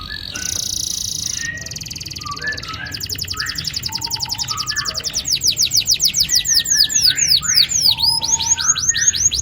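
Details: Long rolling canary song meant to get young canaries singing: high buzzy trills and short chirps give way to rapid, repeated falling whistles that swell in volume, with scattered lower notes in between.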